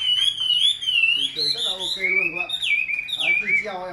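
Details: Hand-tamed caged Chinese hwamei singing: loud, rich whistled phrases that wobble and slide up and down, with sharp rising notes near the end; a man talks softly underneath.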